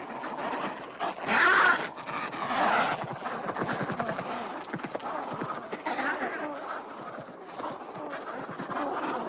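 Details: Adélie penguins in an Antarctic breeding colony in spring, males claiming nest sites and courting females, give harsh, grating, pulsed calls in overlapping bursts, with one loud braying outburst early on, against a steady hubbub of other birds.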